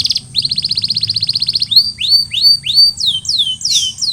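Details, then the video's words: Canary singing in its post-molting recovery. A rapid rolling trill lasts over a second, followed by a string of rising, curving whistles and a brief rough note. "Post-Molting Recovery: Get Your Canary Back to Gacor Faster!"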